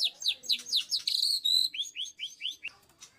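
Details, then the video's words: White-rumped shama (murai batu) in rapid 'tembakan' bursts, singing 'ngacor' nonstop: quick downslurred whistled notes about every fifth of a second, one loud level whistle midway, then another string of falling chirps; no other sounds. "Tembakan Murai Batu sadis langsung ngacor dor"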